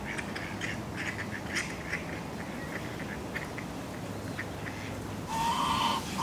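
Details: Ducks at a city park pond, with geese and moorhens, on a breezy day give short, rapid quacks and chatter, with a louder, harsher burst near the end, over steady low wind rumble and distant waterfowl.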